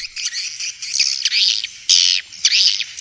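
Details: Swiftlets from Vietnam, a recording used to lure swiftlets to bird houses: a dense run of harsh, buzzy chirps and squawks, overlapping and irregular, with a few louder rasping bursts near the end.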